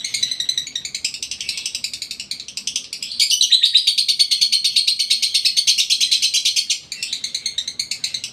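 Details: Lovebird in breeding condition pouring out fast, buzzy, shrill chatter indoors, notes pulsing about three times a second, swelling louder midway before a brief dip and resuming.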